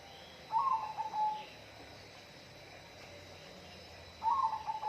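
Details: Two clear whistled phrases from a bird, each opening with a brief warble and ending in a run of steady, evenly pitched notes, spaced almost four seconds apart against faint hiss.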